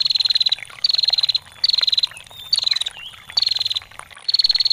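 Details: High chattering trill bursts from a female bar-winged prinia in ngetir style. Six rapid ticking runs of about half a second each repeat steadily, with gurgling water behind.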